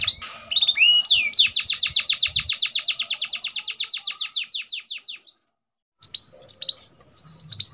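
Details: A bred F1 canary opens with a couple of swooping notes, then runs a fast, even trill of bright chips for about four seconds, followed by a few scattered high chirps.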